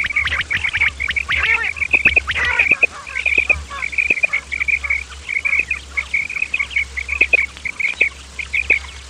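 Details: Common quail, male and female calls for luring quail: after a busy, rough opening, short clear notes repeat about one and a half times per second in uneven groups over a faint low hum.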